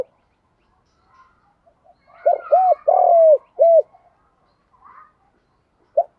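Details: Urging and calling coos of a spotted dove lure bird, used to get newly caught doves cooing fast. A soft, slightly noisy lead-in, then one phrase of rounded coos around a long falling coo, and a lone note at the end.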